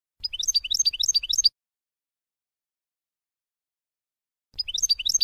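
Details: Tutoring song of a European goldfinch, meant for teaching young birds: two rapid runs of bright, high twittering and chirping notes, separated by a few seconds of silence.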